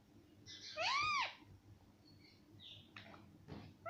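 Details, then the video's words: Talking parrot, described as saying mummy and papa, gives one loud arched call that rises and falls, followed by faint softer sounds and light clicks. "मम्मी पापा बोलने वाला तोता - talking parrot"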